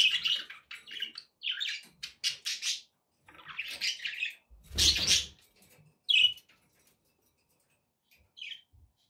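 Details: Pet budgerigars warble in quick buzzy, chirpy phrases, with one harsh noisy burst midway, then a few isolated high chirps trailing off.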